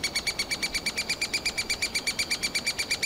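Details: Nestling three-toed woodpeckers begging from inside a tree cavity as parents deliver insects, summer; steady stream of clear, ringing chirps repeated nearly three times per second, very regular, with stacked overtones and no other sounds.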